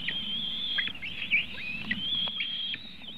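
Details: Eaglets being fed at a White-tailed eagle nest in Latvia, webcam recording on the afternoon of 24 June 2018. A sustained reedy whistle with wavering breaks and brief down-slurred chips, over a faint low drone.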